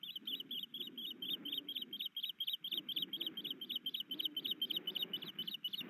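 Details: Osprey pair at a Missoula, Montana nest as the male delivers fish and the female broods: steady run of short, high, piping chirps, roughly four a second, with soft low rumble underneath.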